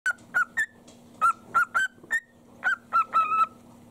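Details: A male pet sun conure, overjoyed as his owner comes home, gives about a dozen short, harsh, shrill squawks in quick, uneven bursts over a low steady household hum.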